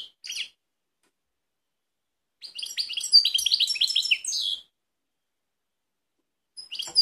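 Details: Balkanika goldfinch singing near Kumanovo, Macedonia, on 16 March 2018: a rapid, tinkling burst of high twittering and chirping notes lasting about two seconds, with short chirps before and after and silence between.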